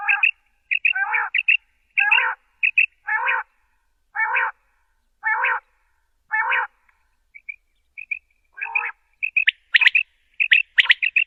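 Common quail giving a run of short, rough, buzzy notes about once a second, some preceded by a thin higher chip, ending in quicker, sharper bursts.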